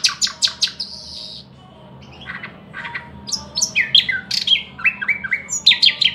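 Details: A thrush nightingale opens with rapid ringing notes, pauses, adds soft rasping strokes, then a run of clear descending whistled notes repeated about three times per second, over faint background noise.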